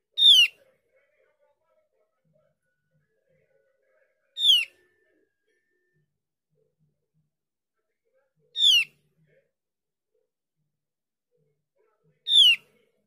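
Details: Javan grey-throated white-eye used as a lure for other birds to respond to; four short, clear descending notes spaced roughly four seconds apart, with long silent gaps between them.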